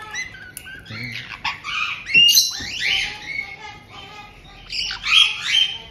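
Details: Captive white-bellied caiques, a resident pair greeting a newly arrived young bird just over two months old, Tokachi, Hokkaido, June 2023: harsh rasping squawks and shrill whistled chirps in overlapping bursts, loudest around the middle and end.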